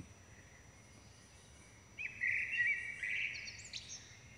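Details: Common blackbird chicks being fed by both parents: quiet, then a sudden two-second surge of high, dense, quavering begging cries, with a few sharp notes at the close.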